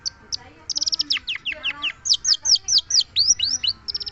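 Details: Long-tailed shrike song: a rapid stuttering burst of high clipped notes, then louder downslurred whistles, each note separate, ending in a quick cluster of short chips.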